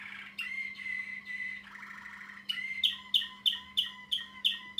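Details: Pet male Waterslager Malinois canary, over a year old, singing: a soft rolling trill and clear drawn whistle, then a bright chopped phrase of sharp notes repeated roughly three times a second; steady low hum behind.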